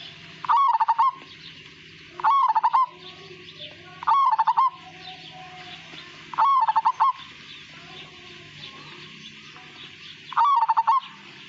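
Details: Pure Majapahit-strain zebra dove delivering five bright, fast-trilled cooing phrases at regular intervals of about two seconds, each a short bubbling burst, over a constant low electrical hum.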